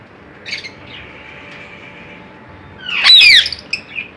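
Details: A pet cockatiel at play gives soft chirps, then a loud, harsh squawk sweeping up and down.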